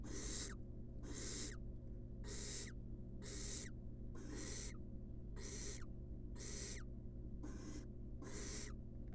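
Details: Barn owl chick, wild, in a research nest box, begs while fed a rat: harsh breathy hissing screeches just under a second apart, each ending in a short downward slur, steady hum beneath.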